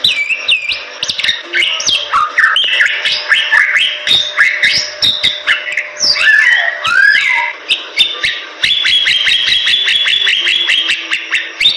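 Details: Bali myna in full, energetic song used as tutor material for cage birds. Tangled whistles and harsh squawky notes come first, then a rapid chattering series of repeated short notes, with constant clicks throughout.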